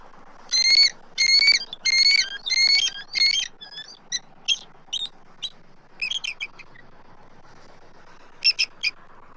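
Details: Two adult eagles at a Southwest Florida nest, filmed by nest camera on 12 March 2024, calling as an intruding immature eagle circles the nest tree. A burst of loud, high piping notes opens, then scattered shorter chirps and a final paired call.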